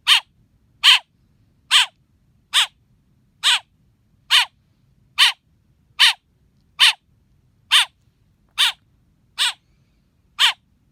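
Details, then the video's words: Persistent chirping from a baby blackbird, thirteen short, raspy notes at a steady rate of about one every 0.85 seconds, background otherwise quiet. "Baby black bird chirping"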